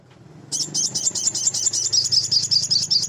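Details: Male crimson sunbird (sogon) in full active song, played as a lure to excite untrained birds into singing: after half a second of quiet, a rapid high, sharp, chattering string of thin trilled notes runs steadily to the end over a low hum.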